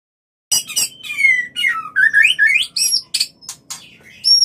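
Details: Mating call of a white-rumped shama, played to bring on breeding: after a short silence, sharp clicks give way to a run of loud slurred whistles sweeping down then climbing, ending in high thin notes.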